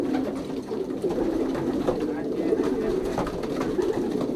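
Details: Indoor loft of young racing pigeons being paired, 2023 season: dense overlapping cooing makes a murmuring drone, with brief bubbling coos standing out and faint clatter.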